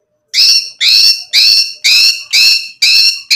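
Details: White-rumped shama, recorded as a lure to make other birds sing: harsh, buzzy, broadband notes repeated about twice per second in an even series, each note loud and strongly ringing.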